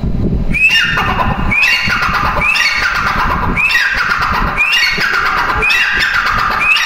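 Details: Calls of a female grey francolin: strident, upward-sweeping squeals repeated about every second, each with a harsh rasping tail, loud and close over background noise.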